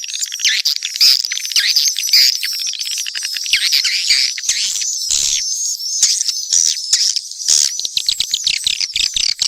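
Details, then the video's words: Mixed swiftlet calls: a dense, unbroken chorus of high, sharp chirps and twitters that overlap throughout, with rapid clicking ticks and brief dips in loudness around the middle. "Sp burung walet campuran"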